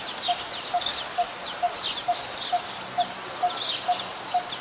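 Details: Coppersmith barbet at Ubon Ratchathani, Thailand, 1 February 2020, a very common resident: evenly spaced, resonant single 'tuk' notes repeated roughly twice a second, with higher buzzy chirps from other creatures behind.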